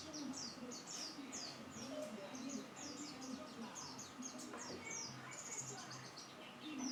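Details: Continuous high-pitched warbling from a white-eye: fast, repeated chirps and slurred whistles in an unbroken stream, over a faint low hum.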